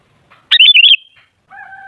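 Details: A single rich, quavering phrase from a sooty-headed bulbul, followed by a fainter, lower drawn-out whistle; sound intended as a lure for other bulbuls.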